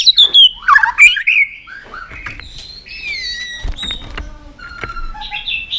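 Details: White-rumped shama, roused and tail-flicking, opens with loud rippling whistled phrases, then softer scattered whistles and chips over a quiet background.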